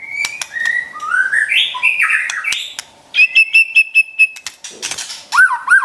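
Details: Pet white-rumped shama training song with a sustained whistle sliding into warbled phrases, then a rapid pulsed trill of six even notes, and a couple of looping whistles, sharp clicks scattered throughout.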